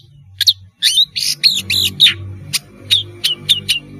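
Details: Singing long-tailed shrike meant as a lure for young birds learning to sing. Harsh scratchy bursts and short whistled notes are spaced irregularly over a steady low droning background.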